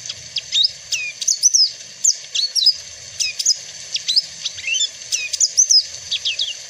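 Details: Papuan black-fronted white-eye (Zosterops minor), a protected species with a golden-yellow head, sings its prized song: a quick, high run of thin whistled notes sliding up and down in short bursts, with a faint low hum behind.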